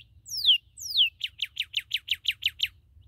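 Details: Newly captured red cardinal singing two strong descending slurred whistles followed by a quick run of ten short, even, chirping notes, over a faint low hum.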